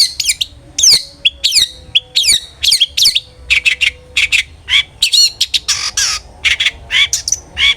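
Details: Long-tailed shrike singing in the loud ngeplong style, used to lure other shrikes into singing: rapid harsh chattering notes and sharp downward-sweeping high whistles, packed closely and delivered in bursts, sometimes nearly continuous.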